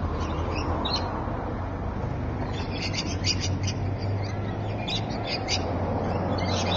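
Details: Rainbow lorikeets chatter at Evans Head, 26 May 2012, 3:45 PM: rapid, scratchy, high shrieks come in irregular clusters throughout, over a loud continuous low hum.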